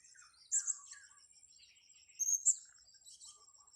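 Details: Blue-crowned hanging parrot at a luring site on grass: two clusters of shrill, high, squeaky chirps about two seconds apart, with faint lower twitters between them.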